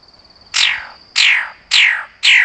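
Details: Magnificent bird-of-paradise calling four bright, rasping notes that drop sharply in pitch, spaced roughly half a second apart, over a faint steady high whine.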